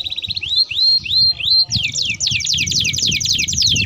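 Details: Canary singing a long rolling song used as a lure and as a tutor for young canaries: high, rapid tours of repeated notes, first rising swept whistles, then fast falling sweeps repeated several times a second, with low rumbling background noise.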